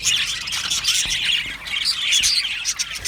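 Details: Aviary colony of Australian budgerigars chattering, with bright whistled chirps standing out over a constant high, scratchy background warble from many birds.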